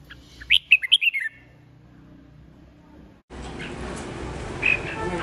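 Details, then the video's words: Red-whiskered bulbul from Hoà Bình, a raw bird held over two seasons and praised for a fine voice: a short rollicking burst of about six clear whistled notes, sliding down at the close, followed by quiet and then loud background rustle. "Chào Mào Mộc Hơn 2 Vụ Bộ Đẹp Gấu Chim Giọng Rất Hay Gốc Hoà Bình"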